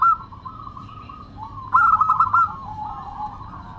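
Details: Local zebra dove in crystal-voiced song: a single brief loud burst of rapid staccato coos rises above continuous softer cooing and trilling from other doves.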